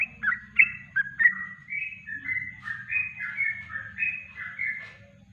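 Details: Yellow-vented bulbul with a natural kongslet song meant for tutoring other birds: a run of warbled, slurred whistle notes, first clipped and separate, then flowing into a steadier bubbling chain, with low hum behind.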